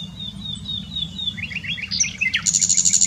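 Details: Common nightingale singing at Dohr in the Eifel, Germany: thin high whistled notes give way to faster chirps, ending in a rapid, evenly repeated high trill, with a steady low rumble behind.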